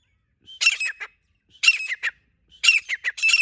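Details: Female grey francolin giving three spaced bouts of harsh squawks, each opening with a short whistled note and breaking into rasping notes, about one bout per second.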